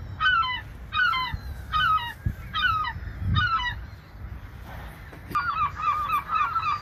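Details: Seagulls flying over the ocean give a series of about five bursts of harsh, downslurred, harmonic calls, each burst a quick run of notes. A short pause follows, then a steadier row of similar calls. Ocean sound rumbles low beneath.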